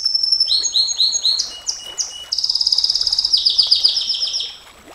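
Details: Canary in long 'nembak panjang' song for training and luring canaries: repeated high slurred notes, a few rising sweeps, then an extended rapid pulsed trill fading at the end.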